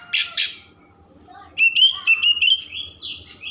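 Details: Oriental magpie-robin song to stimulate emotion and tail opening: two harsh rasping notes, a pause, then a sweet fluttering whistled phrase ending in a rising slur.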